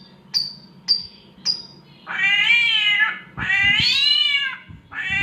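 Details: Mimicking a cat in heat, an Oriental magpie-robin gives three brief high whistles, then two long, rising-and-falling caterwauling wails and the start of a third.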